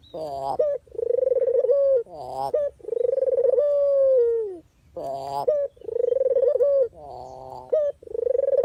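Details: Barbary dove, a real recording meant to lure birds into traps: a string of throaty, vibrating coos, each held steady then dipping, alternating with short rough rising notes, repeated roughly every one and a half seconds.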